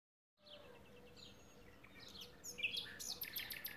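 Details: Common nightingale singing on a spring day, 12 April 2016: varied high whistles and sharp rapid chirps building in the second half, with a faint steady low tone and background noise.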